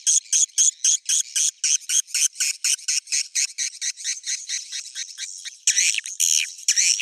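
Swiftlet calls: shrill, high, buzzy chirps repeated about twice a second. Toward the end they run together into denser, overlapping twittering.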